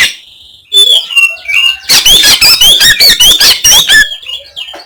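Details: Oriental magpie-robin in harsh 'kasaran' song meant to make rivals puff up: faint whistles lead into a very loud, fast series of grating, slurred notes repeated roughly every third of a second, then fading.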